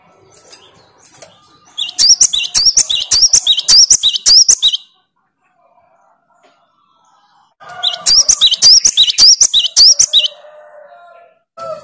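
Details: Great tit, a previously quiet bird, answers a lure great tit's song with two bouts of rapidly repeated phrases: each an upslurred whistle followed by a sharp high note, about two phrases a second, separated by a silent pause.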